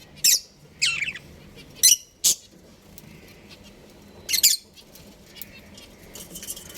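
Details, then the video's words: Pet budgerigars at home, described as playing and happy, giving sharp high chirps and short squeaky bursts spaced irregularly, with quiet gaps between calls. "My Cute Budgies Chirping Sounds"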